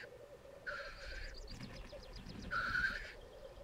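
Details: Lekking black grouse on the Sallandse Heuvelrug heath in the Netherlands. Two loud, harsh, rushing hisses about two seconds apart stand over a soft continuous low bubbling, with faint bird calls between them.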